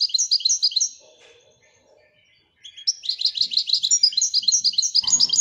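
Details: {'text': 'A Moroccan goldfinch sings in the Widaniya manner: rhythmic high twittered notes, a brief lull with a soft low murmur, then a sustained rapid, tinkling sequence of repeated notes to the end.'}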